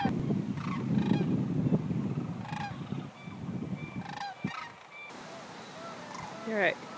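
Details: ["A flock of sandhill cranes gathered at Creamer's Field in Fairbanks, Alaska, before heading to Texas, gives honking, rattling calls over a steady low rumble, with one clearer rising call near the end."]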